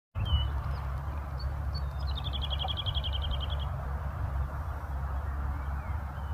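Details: Small bird chirping outdoors. It gives a fast, even trill of about fifteen high chipping notes lasting over a second, over a steady low rumble of traffic or engine noise.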